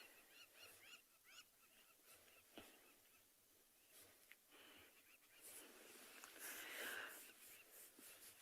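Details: Crowned lapwings nesting in open ground on a sunset safari (20 June 2020) give harsh, strident alarm calls in quick, increasingly excited bursts as lionesses stalk nearby at dusk, over wind and vehicle rumble.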